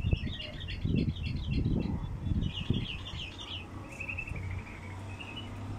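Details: Bulbul calls used as a lure to draw in wild bulbuls: bursts of quick chirping notes repeated over about four seconds, then softer short trills, over low rumbling handling noise.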